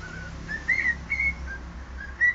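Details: Cockatiel whistling the Sport club anthem: a few brief whistled notes, some rising and some held steady, over a constant low hum.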